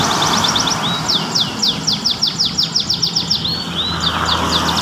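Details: Canary singing goldfinch-like phrases, a chain of sharp high descending slurs repeated several times per second with short rolls, over continuous low rumbling background noise.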